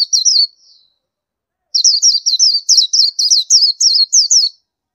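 Indian white-eye giving thin, high chirps: a short burst, a pause, then a quick run of about a dozen sweet notes. No other sounds.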